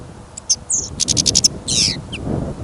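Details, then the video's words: A caged goldfinch out in sudden snow and wind gives a short burst: scattered sharp chips, a quick ticking series, then a buzzy descending slur and a final chirp, over low wind noise. "Пение щегла - Голоса птиц. Щегол на прослушивании запел."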